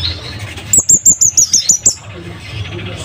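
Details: Scarlet-headed flowerpecker, known locally as cabean bunga api or kemade bunga api, kept as a master bird for tutoring caged birds, with a loud, sharp wild-type voice: a quick run of eight thin, very high ticking notes, then quiet.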